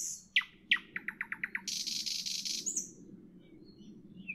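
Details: Evening nightingale song with two sharp whistles, then a quick row of clipped notes and a harsh, buzzy trill lasting about a second. A low rumble of background noise runs throughout.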